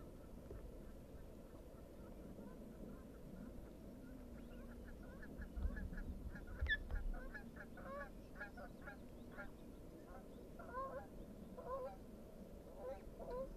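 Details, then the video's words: Feeding time for osprey chicks at a Dyfi nest, 24 May 2021: rapid series of sharp chirping whistles, about one a second, growing busier midway, over constant low wind-like rumble. "Dyfi osprey chicks feeding"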